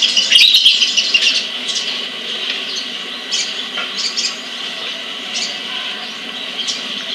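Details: Sunbird held in a bird collection in Kebagusan, Pemalang, Indonesia, opening with a loud, bright high-pitched twitter, then scattered short sharp chips spaced irregularly through a hissy background.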